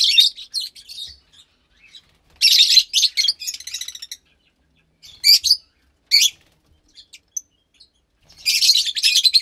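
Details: Captive Fischer's lovebird chick, about 15 days old, uttering clusters of shrill, rasping chirps, with short sharp squeaks between the louder buzzy bursts.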